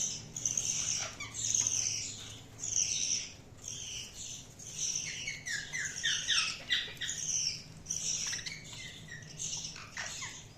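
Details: Several budgies chatter continuously for ten seconds: dense, overlapping high chirps and squawks with quick falling notes and barely any pauses.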